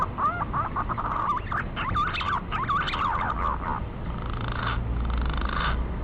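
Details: Lure recording of a male green pigeon calling a female: a string of wavering, looping whistled notes for about four seconds against constant low rumbling noise, then fading hiss.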